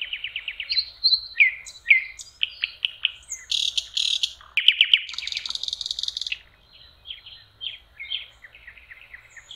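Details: Common nightingale singing by a lakeshore in May, in spring: varied phrases of rapid repeated notes, a dense buzzy rattle in the middle, then softer whistled fragments.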